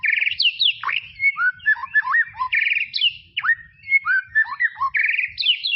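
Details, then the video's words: White-rumped shama in tropical forest repeating a phrase of a buzzy trill, a sharp downslurred whistle and several mellow looping notes, heard three times in under six seconds. "BEST SUARA KICAUAN MURAI BATU HUTAN TROPIS"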